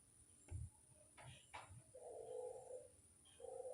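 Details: Barbary dove coos used as a lure, quiet and distant: two steady, hollow tones, one long and one cut short at the end, following several dull thumps, with a constant high electronic whine.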